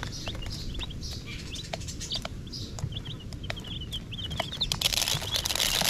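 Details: Colour chicks, young chickens playing together. Short, high peeps repeat in quick, irregular runs over a steady low rumble, with rustling and a burst of broad hissing noise near the end.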